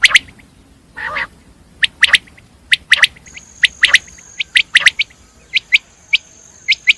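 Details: Common quail (batir) repeating crisp three-note phrases, one clipped note then two quick ones, with a short harsh rasp early on and a thin steady high whine in the background.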